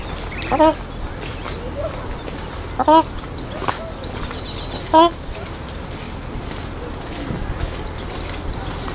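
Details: Ruddy Shelduck (Tadorna ferruginea) with ducklings at Abtskücher Teich pond, Heiligenhaus, Germany, on 28 May 2020 at 19:30, gives three loud, nasal, honking calls about two seconds apart over a steady background rumble.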